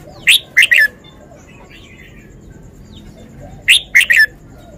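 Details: Red-whiskered bulbul displaying its song phrasing: two crisp phrases of three loud, bright whistled notes, about three and a half seconds apart, over faint background twitters.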